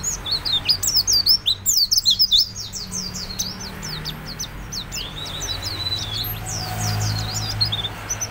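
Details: A white-eye (pleci) sings in full, vigorous form, used as a lure song for training other birds: a fast, high, unbroken twitter of thin chirps and slurred notes, under a faint low hum.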